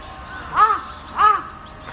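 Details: Spot-billed duck recorded between July and December 2023 at the Kurome River or Sanpoji Pond: two hoarse, nasal, arched calls about half a second apart over a quiet background.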